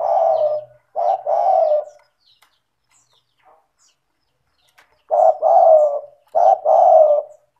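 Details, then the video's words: Frequently calling spotted dove, played to encourage reluctant doves: two-part cooing phrases, a brief note then a longer mellow coo, with a quiet pause of about three seconds between groups. "Pancingan bunyi suara burung tekukur gacor cocok untuk terapi tekukur malas bunyi"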